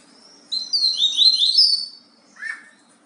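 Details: Yellow-bellied seedeater singing the Bahia song type: a quick tumbling phrase of high, sweet whistled and slurred notes lasting about a second and a half, followed by a short lower descending chirp after a pause.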